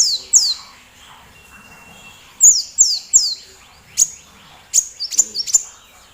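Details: Sunbird (kolibri), a small bird with a loud voice, recorded as a tutor sound to provoke other songbirds such as the magpie-robin to sing. It gives very high, sharp chirps and quick downslurred whistles in irregular bursts, with a quiet background.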